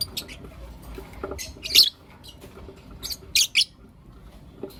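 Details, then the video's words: In the morning, blue opaline and lutino opaline lovebirds call with loud shrill chirps, two close squeaky bursts near the end, plus softer high ticks between. "Lovebird Chirping Sounds and Call Sounds From Blue Opaline & Lutino Opaline"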